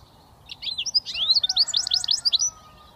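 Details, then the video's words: A goldfinch mule hybrid sings a two-second switty phrase: bright, quick, slightly irregular chirps and little upswept whistles, all high-pitched, with a quiet background. "Goldfinch mule switty"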